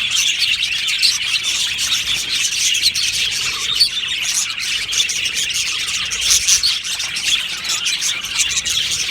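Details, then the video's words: Australian budgies singing in a colony aviary: steady, dense twittering of high chirps and warbles, overlapping without pause. "Australian Budgie singing birds video | Beautiful Budgie aviary chirping sounds"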